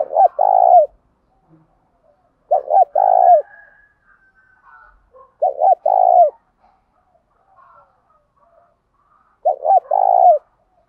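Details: Spotted dove, cock and hen, cooing to provoke decoy birds into answering: four low hoarse cooing phrases, each two or three quick notes ending in a longer rolled coo, spaced about three seconds apart, otherwise quiet.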